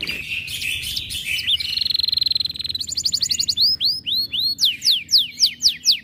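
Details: Canary in high breeding condition, more aggressive on hearing other birds: a harsh churring start, a fast buzzy trill, then rhythmic loud arched whistles, repeated steadily and growing louder toward the end.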